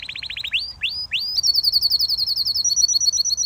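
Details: A canary singing a varied song: a fast trill of high notes, then a few sweeping upslurred whistles, followed by a rapid, steady run of bright repeated notes at a high pitch.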